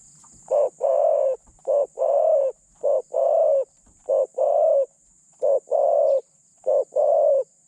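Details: Spotted dove kept as a decoy to lure and catch wild doves, a medium-voiced caller: six low hollow coos, each a short note snapped into a longer steady one, repeated briskly about every second, over a faint constant high hiss.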